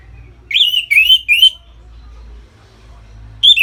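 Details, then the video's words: Loud 'ngeplong' song of a caged orange-headed thrush, played to bring other birds into breeding mood. Three clear warbled whistles follow each other quickly, a pause of two seconds, then another phrase begins. "Suara Ngeplong ANIS MERAH Gacor Memancing Burung Agar Birahi dan Lanjut ke Tahap Teler"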